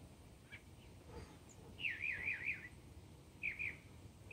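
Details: Mockingbird singing: a fast, wavering warbled phrase that zigzags up and down, then a shorter repeat of the same wavy figure and a clipped start of another, over a steady low rural hum.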